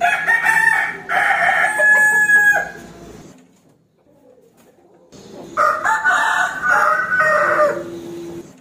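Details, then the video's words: Rooster crowing to challenge an opponent: two long, harsh crows of about two and a half seconds each, with a quiet break of roughly two seconds between them. "Suara Ayam Jantan Berkokok | Suara Ayam Jago Berkokok | The sound of the rooster crowing"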